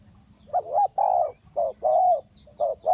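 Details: Decoy spotted dove at a bird trap delivering close, loud coos: short clipped notes alternating with longer level, slightly falling ones, in quick succession over a low background murmur.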